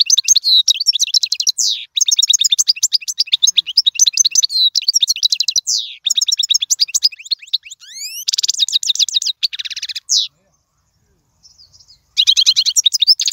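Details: European goldfinch song, played for teaching young birds: fast, high, liquid twittering with chirps, buzzy notes and short trills in dense, unbroken runs, a quick upward sweep near eight seconds, a brief near-silent pause, then renewed twittering.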